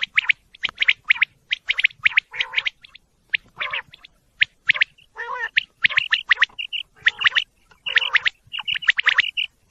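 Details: Quail chirping in dense overlapping clusters, quick high tweets repeated several times a second, broken by occasional lower, rough squawking notes and brief pauses.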